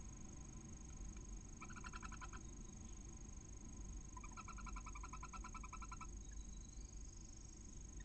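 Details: At a barn owl nest in Cabañeros National Park, between Ciudad Real and Toledo, Spain, the female calls to her hatching chick, which answered from inside the egg. Two runs of fast, regular pulsed chattering, the second longer, over low hum.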